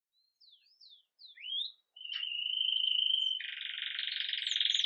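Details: Caged Belgian canary, agate red mosaic, singing Campainha song early in the day, recorded live: a few separate whistled slurs, then a steady pure whistle held for over a second, breaking into a loud broad buzzy roll.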